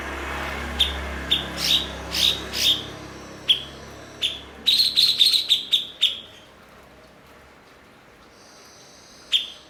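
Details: Blue-winged leafbird, known for imitating other birds and kept as a tutor for other songbirds: clipped high notes, then a fast run of rapid chips around the middle, then near silence before one last note.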